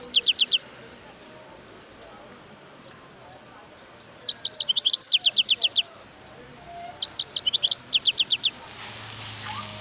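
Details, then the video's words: Wild European goldfinch song in three short bursts of rapid, high tinkling chirps, each a quick sequence of upward-sweeping notes, separated by pauses of a few seconds; faint background hiss at the end. "اسمع صوت الحسون البري"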